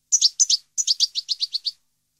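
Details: European goldfinch recorded at Parva in 2015: a quick burst of about ten doubled, tinkling chirps in rapid succession lasting under two seconds, with a clear background.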